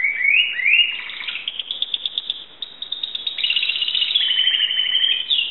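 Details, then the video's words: Greek Timbrado canary song opening with rising slurred notes, followed by long high rattling trills and continuous rolling phrases. "greek canary timbrado singing song"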